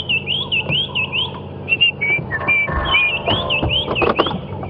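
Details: At sunrise on a morning safari drive on 1 November 2015, in light drizzle, a White-browed Scrub Robin hidden in thick bush sings happily: a lively run of short, high whistled phrases, rising and falling with little pause, over a low hum.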